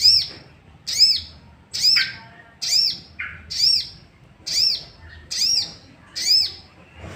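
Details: Sooty-headed bulbul lure sound to make other bulbuls sing: eight evenly spaced, high arched chirps, close to one per second, with one lower note slipped in partway through.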